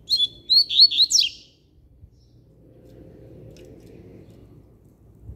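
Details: A double-collared seedeater sings firmly, a quick burst of four or five high, sweeping whistled notes, then falls silent against a low indoor hum.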